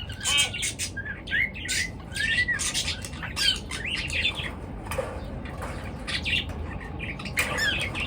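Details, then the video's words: Morning chirping from birds: clusters of high squeaky chirps and short rising-falling notes, mixed with brief bursts of wing flapping. "পাখির কিচির মিচির ডাকে সকাল বেলার ঘুম ভাঙা"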